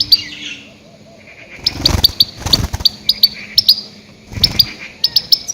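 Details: Loud goldfinch calls meant to attract grey-headed goldfinches for catching: a soft buzzy note opens, then crisp high pips follow in quick regular series, with a few low thumps and rustles.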